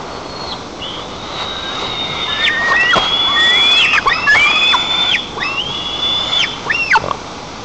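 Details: White-tailed eagle chicks in a nest in Nizhnyaya Kama national park, Tatarstan, on 5 August 2024, eagerly greeting the father bringing fish, jostling until the fish fell; thin high whistled calls, sliding and overlapping in quick repeated bursts.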